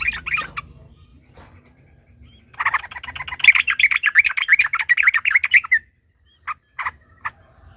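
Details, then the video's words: Sooty-headed bulbul singing in response to a rival: scattered short notes, then a long bubbling, warbled run of rapid phrases lasting about three seconds, followed by a few isolated sharp notes. "TARUNG PANCINGAN TRUCUKAN agar bunyi jadikan burung trucukan gacor EMOSI"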